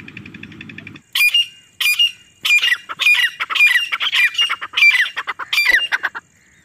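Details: Grey partridge female calling non-stop in jungle, a recording used to lure birds for hunting; harsh, squealing notes repeated in rapid bursts, about one and a half per second, after a low mechanical hum at the start.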